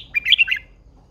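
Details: Red-whiskered bulbul, a caged female described as a wild-caught old hen, singing in a competition-style setting: a brief burst of bright warbled notes, rising and falling, lasting about half a second.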